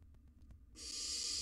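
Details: Wild barn owl nestling inside a monitored nest box while learning to fly. A faint tapping is followed by one sustained, rough hissing screech lasting under a second.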